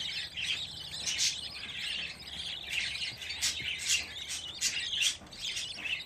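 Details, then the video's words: Fifteen young budgerigar chicks gathered together, still fearful, calling as a dense chorus of high, scratchy chirps and trills, with louder bursts near one, three-and-a-half, four and five seconds; no other clear sounds. "Muhabbet Kuşu Bebişleri Özel #7 Yavruların 15 'i Biryerde"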